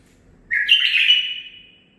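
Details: Single clear phrase from a young male bulbul, nine months old and bred in captivity with learned song. It is a sudden bright whistle-warble that holds steady, then trails off smoothly.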